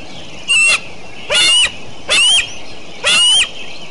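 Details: Eagles at Decorah on a morning of 29 June 2012: four loud, harsh, overdriven calls with a thin whistled tone inside, spaced under a second apart, over a steady background hiss.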